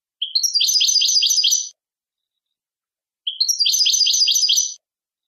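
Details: European goldfinch song: two bursts of rapid, tinkling, twittering notes, each about 1.5 seconds long, high-pitched and repeated in quick succession, separated by silence, with no other sounds.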